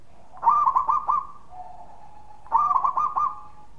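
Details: Local zebra dove song used to lure other doves; two bursts of rapid stuttering coos about two seconds apart, each ending in a short falling note, with a faint lower hum between.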